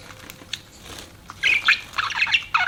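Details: Pet budgies: quiet at first, then a dense run of scratchy, rapidly changing chirps and squeaks from about halfway through to the end.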